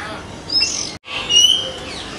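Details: Common hill myna from India: two short, bright whistled calls separated by a brief gap, the second a clear sliding whistle with a buzzy edge.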